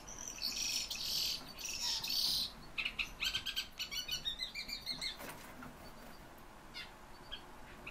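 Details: A caged calandra lark, a nervous bird that rarely sings on camera, sings late in the evening: a rich, rapid jumble of high chirps, trills and scratchy notes.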